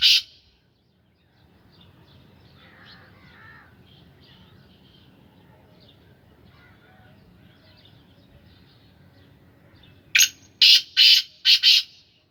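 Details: After a long quiet stretch with faint distant chirps, a captive black francolin of Sindhi stock bursts into five rapid, rasping notes near the end.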